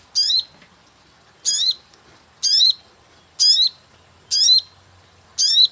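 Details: Lure sound of a sogon bird for catching: loud buzzy chirps repeated roughly every second, each with a quick falling then rising twist, over near-silent surroundings with faint low rumble.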